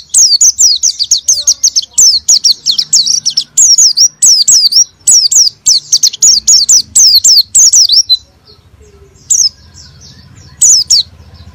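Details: Lively oriental white-eye song, meant to get a reluctant bird singing: dense, loud volleys of high twisting whistled notes for about eight seconds, then only two isolated phrases, with faint low music underneath.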